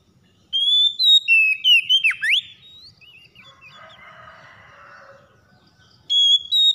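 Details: Oriental magpie-robin song meant to provoke a lazy bird into singing: a fast sequence of whistled notes ending in a deep swooping drop, a few soft notes and a diffuse murmur, then another loud whistle starting.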